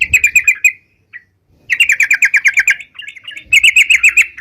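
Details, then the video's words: Sooty-headed bulbul (crucukan), vigorous singing intended as a bird-catching lure: bursts of quick, evenly repeated bright chirps separated by short silences, with a single faint note in the gap, then two more rapid chirping runs. "suara crucukan gacor bisa buat pikat"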